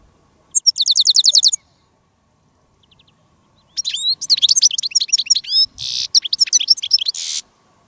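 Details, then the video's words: European goldfinch on a wild-bird trapping field day with a decoy goldfinch and wild goldfinches: a quick burst of high, rapid tinkling notes, then after a pause a longer run of liquid, twittering phrases. "Jilguero de reclamo jilguera de jarilla y jilgueros de campo"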